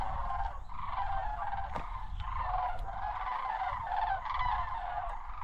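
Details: Migrating sandhill cranes in a flock overhead at Osoyoos, South Okanagan, British Columbia, Canada, a stopover on their September–October migration: an overlapping chorus of rolling, rattling calls with steady low rumbling noise beneath and a sharp knock.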